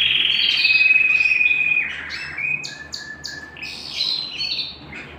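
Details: Canary singing at home: a long steady whistled trill, then a series of separate short chirps and buzzy notes at varied pitches, fading somewhat toward the end.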